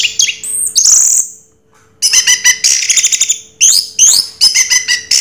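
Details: Bright 'Raja Teler' singing by an orange-headed thrush, with a high squeal, a short silence, then long runs of rapid chips, trills and warbled whistles.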